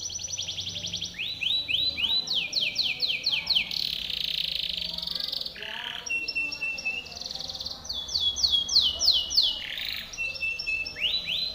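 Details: Timbrado canary singing a training song for other canaries, alternating quick falling-note trills, harsh buzzy rasps and a thin level whistle, phrases shifting every second or two.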